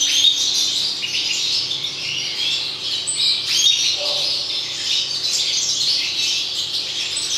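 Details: European goldfinches in 2019 keep up a lively, tinkling twitter mixed with buzzy trills and a few sharp higher notes, the flow steady throughout over a faint low hum.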